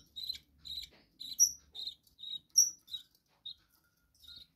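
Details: Pet budgerigars indoors chattering with short scratchy chirps and occasional sharp squeaky whistles, irregular bursts about once a second, fading toward the end.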